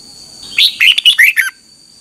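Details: Single bright phrase of a red-whiskered bulbul's morning training song: five or six rapid liquid whistles, slurring up and down, ending on a falling note, steady high hum behind.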